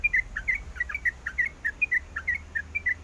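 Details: A sooty-headed bulbul female calls to the male with short paired chirps, each a high note dropping to a lower one, repeated in a loose rhythm.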